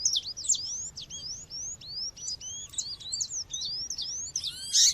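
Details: Calling female seedeater used to excite males, with natural background: a quick series of sharp, high, slurred whistles, some rising and some falling, bunched irregularly, closing in a louder harsh burst.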